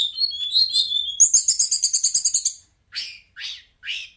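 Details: Hill blue flycatcher (Cyornis whitei) song: high sweet warbling, then a quick run of a dozen bright repeated notes, ending with three separate falling slurred whistles.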